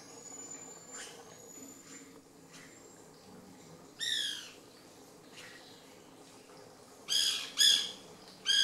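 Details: White Woodpecker in the Lodge Garden at REGUA in 2016, giving loud, harsh, chattering bursts of several rapid notes, four bursts over a few seconds; a thin high whistle from another bird sounds early on.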